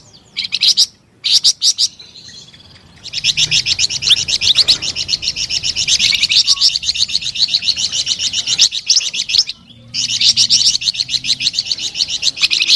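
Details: Flamboyan bird song: long fast rattling trills of high chattering notes, sustained for several seconds at a time, broken by short pauses and a few brief separate chirps.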